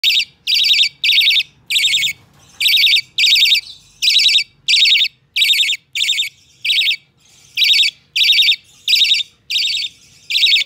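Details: Hand-tame budgerigar chick, recorded 12 November 2020, giving harsh, buzzy, rasping calls about half a second long, repeated in a rapid, slightly uneven series of roughly seventeen calls with short silent gaps between them.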